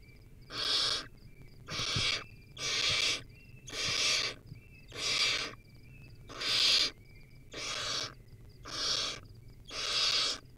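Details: Young wild barn owl on a nest cam, eating a rodent, gives a long steady series of rasping, breathy hisses, nine in ten seconds at an even pace of about one per second, with soft high ticks between them.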